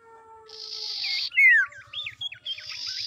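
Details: Female common iora song, used as a lure to provoke rival males into calling: bright whistled notes sliding downward and twisting up and down, between harsh buzzy bursts at the start and end.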